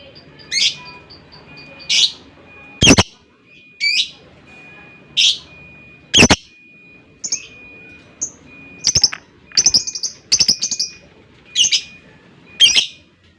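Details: Lovebird chirping in short sharp bursts roughly every second, bright high squeaky notes with some sudden loud clicks, a steady faint tone underneath.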